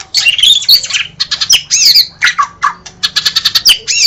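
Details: Harsh, rapid song of a kept White-rumped shama: dense high chattering and squawky notes with quick downward whistled slurs, continuous throughout, over a low hum.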